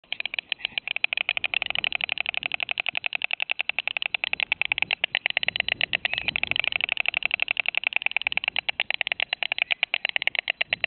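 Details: White storks bill-clattering at their nest in Wilsum around 14:00, about three hours after the youngest chick was killed, with the dead chick lying among the other young; a rapid, even wooden rattle of about eight clacks per second runs unbroken throughout.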